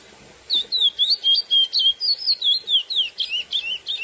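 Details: Lesser seed finch (Sporophila angolensis), classic song style used to excite females: a fast run of clear, warbling whistled notes, about four per second, wavering up and down in a high register for roughly three and a half seconds.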